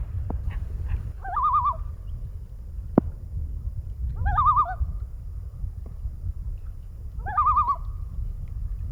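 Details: Loon calling on a lake in Alaska, heard from a restored boat: three wavering, quavering calls a few seconds apart, each with a rapid warbling tremble. A steady low rumble of engine and water runs underneath.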